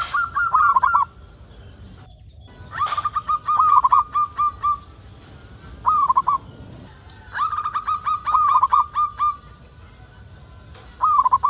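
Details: Local zebra dove calling, used as a lure to make other zebra doves sing: bursts of soft, rapid cooing notes with a trilled, stuttering rhythm, each phrase about a second long, repeated with short pauses, faint background hiss.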